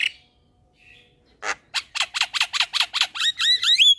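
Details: Javan myna singing hard as a training and lure recording: a brief quiet note, then a fast series of about a dozen harsh, repeated chack notes turning into sliding whistled squeals.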